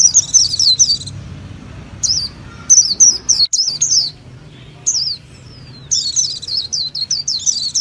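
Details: High-pitched twittering song of a Japanese white-eye: rapid, wavering bursts of sharp chirps with brief pauses between phrases.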